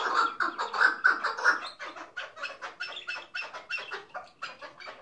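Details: A tethered hunting chukar partridge, a decoy bird, gives harsh, chattering clucks in rapid runs of about a second and a half each, repeated steadily, the later notes softer and thinner.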